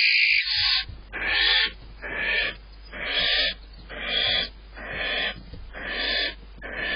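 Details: Barn owls in a nest box at dawn on April 8, during the male's prey deliveries and the female's feeding, give harsh, breathy hisses of about half a second, repeated roughly once a second in a steady run.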